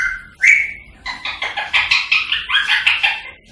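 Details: Rose-ringed parakeet, to urge singing and mating: one shrill rising squawk, then rapid buzzy clicking chatter with rising notes.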